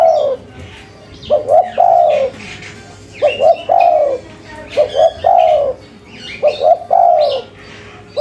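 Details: Repeated cooing from a local spotted dove in the cetrekan style, each phrase two quick hollow notes and a sustained low coo, about four phrases with short pauses and soft background chirping.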